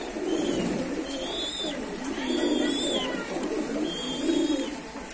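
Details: Kept pigeons keep up low, bubbling coos in repeated bursts about every two seconds, while thin whistled notes from other birds arc overhead.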